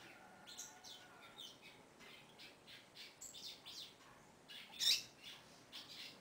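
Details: Female double-collared seedeater calling to the male, giving a quick series of soft high chirps and then one loud, sharp, high note near the end.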